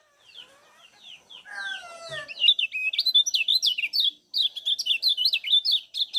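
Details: Lemon-bellied white-eye (kecial kuning) from Lombok, 'ciak' calls used as a lure to stimulate other birds: soft notes build into rapid high twittering chirps, dense and excited, with a lower whistled phrase briefly mixed in.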